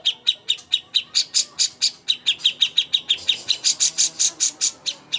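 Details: Cucak hijau master song for contest training: bright, piercing chirps repeated steadily about four times a second, becoming louder and brighter near the end.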